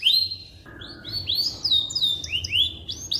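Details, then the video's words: Canary song for training white-rumped shamas, with spaced upward-slurred whistles and short sweeps, a lower flat note early on, and faint background hum. "Suara Burung Kenari Cocok Untuk Masteran Burung Murai Batu"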